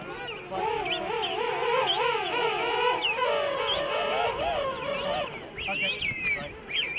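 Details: King penguins at a huge rookery of thousands of breeding pairs and their chicks on Salisbury Plain, South Georgia, fill the air with overlapping, wavering, trumpeting calls that rise and fall in pulses. Higher squeaky voices rise and fall behind them.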